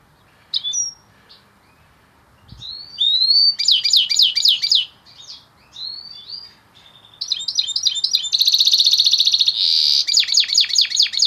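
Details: Singing goldfinch hybrid with intense pigmentation delivers varied phrases: brief whistles, runs of rapid slurred twitters, a sustained buzzy rattling trill, then more fast repeated tinkling notes.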